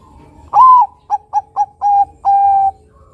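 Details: Bangkok-type zebra dove singing actively, a lure for other doves: one phrase opening with a loud rising-falling coo, then four short staccato coos, ending in a drawn-out steady note, low hum behind.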